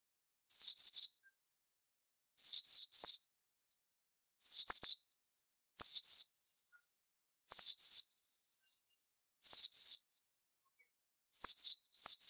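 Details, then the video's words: White-eye tutor song in the 'super antik' pleci style: paired or tripled high, thin down-slurred whistles repeated steadily about every two seconds, seven phrases in all, over a quiet, still background. "Pleci super antik masterannya harus unik"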